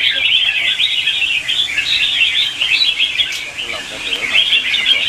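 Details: Red-whiskered bulbuls in competitive morning song, recorded for use as lure sounds to train and stimulate caged birds: a dense, continuous wash of overlapping bright chirps and warbles from many birds, sustained throughout with little pause.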